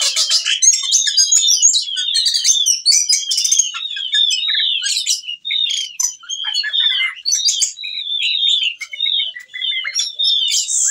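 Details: Ciung batu whistling thrush singing nonstop in breeding condition, calling a female, used as a lure for other birds; long flowing series of varied chirps, slurred whistles and sharp clicks with scarcely a break.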